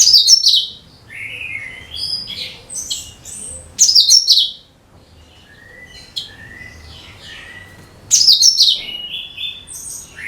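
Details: Cucak kinoi used as a lure for all bird species: loud bright chattering bursts roughly every four seconds, with varied whistled and slurred phrases filling the gaps.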